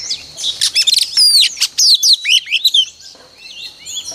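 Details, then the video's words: Female oriental magpie-robin song played mornings to prompt males, fast clicking stutter then clear downslurred whistles and chirps in quick sequence, fading into soft warbling. "Kích choè than trống cực căng mỗi sáng | Choè than mái mồi quá hay"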